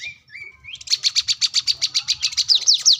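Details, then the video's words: Plain-throated sunbird, an active singer seeking a rival, used as a tutor and lure for young birds: a rising thin whistle, then a fast even series of sharp high chips, about two or three each second, ending in downslurred notes. "kolibri kelapa | wiceh | manggar | korlap gacor mencari lawan buat pancingan / masteran burung bahan"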